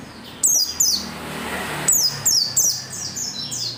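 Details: Persistent oriental white-eye singing meant to make other white-eyes sing: sharp, very high descending chips in quick pairs and triplets, separated by a brief lull, over faint background noise.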